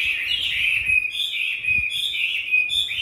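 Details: Caged, tamed Chinese hwamei from Hanoi, Vietnam, in fighting-style song: loud rich warbled whistles flowing together with small pitch steps and flourishes, nearly continuous.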